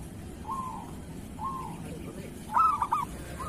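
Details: Local zebra dove kerot song used as a master recording: short soft purring trills, then one loud cooing phrase of quick stammering notes ending in a trill.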